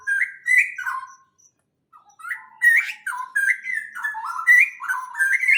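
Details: Loud, lively chirping of birds in a greenhouse: stepped, warbling phrases of rising and falling notes repeat quickly, with a brief pause partway through and a quiet, clean background.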